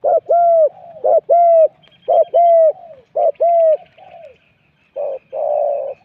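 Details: Spotted dove in Thailand, used in a morning decoy-luring session, gives low hollow coos: a short note then a longer bending coo, repeated in pairs about once a second, with softer coos behind.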